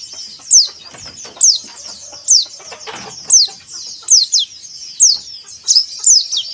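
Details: Caged white-eye singing to draw other caged white-eyes into song: sharp, high downslurred notes about every second over a thin continuous high twitter, with scattered soft clicks and rustles beneath.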